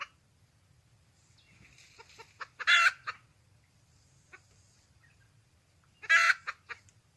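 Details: Red junglefowl hen in the wild calling to find a male. Scattered soft clucks lead into two loud, rasping cackles about three seconds apart, each trailed by a few quick clucks.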